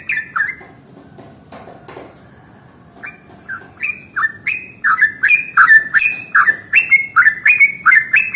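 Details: After about three quiet seconds, a yellow-vented bulbul starts its morning rolling song, a lure for other bulbuls: gurgling notes building in loudness and speed into a steady bubbly chain.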